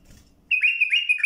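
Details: Bulbul song played for teaching young birds: a clear whistled warbling phrase of several linked notes, steady and slightly wavering, starting abruptly after silence.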